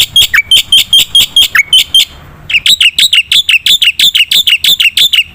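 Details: Black-winged myna song intended to stir silent birds: fast loud chattering notes with occasional downward whistles, a short break near two seconds, then the harsh rhythmic series resumes.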